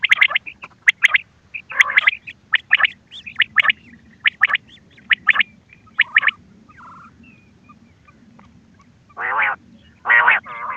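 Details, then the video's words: Quail lure calls for hunting: a rapid run of sharp clipped notes and short rasps, a quiet gap, then two long gravelly bursts near the end, over a steady low hum. "بٹیر کی آواز شکار کیلئے quail bird sounds for hunting bater ki awaaz"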